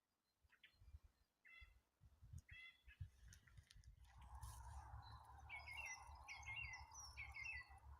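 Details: Birds gradually starting to sing in April: a few harmonic chirping notes early on, then repeated sweeping, trilled phrases over a steady mid-pitched hum, with a low rumble throughout.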